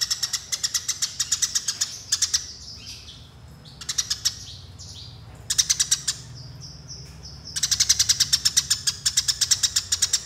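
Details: Eurasian tree sparrows fighting, giving rapid rolling bursts of harsh, chattering chirps, many per second, broken by short pauses and a few thin whistles.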